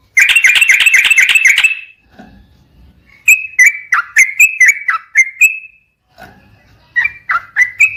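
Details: Yellow-vented bulbul song played as a lure to trigger singing in other birds: a rapid rattling chatter, a short pause, then a series of separate clear whistled notes, some dropping and some rising, repeated a few times per second.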